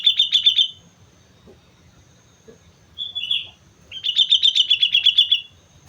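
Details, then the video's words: Sooty-headed bulbul singing energetically on Mount Slamet: fast bursts of high, bubbly notes repeated in quick succession, with a short slurred whistle between the bursts. "suara burung kutilang gacor gunung slamet"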